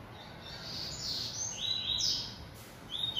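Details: Yellow-bellied seedeater kept in captivity, heard fairly faintly over a steady hiss: a string of high, sweeping whistled notes and short trilled fragments, rising and falling, with brief gaps between bursts.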